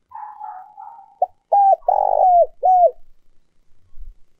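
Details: Spotted dove decoy call for trapping, from old wild-caught decoy birds used to lure wild doves: a rising warbled coo, then a series of hollow hooting coos of about two seconds. No other sounds.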